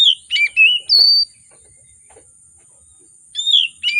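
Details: Agitated oriental magpie-robin delivering lively, richly varied song to provoke silent magpie-robins: quick warbled whistles and a long high note, a two-second pause, then further sliding whistled phrases.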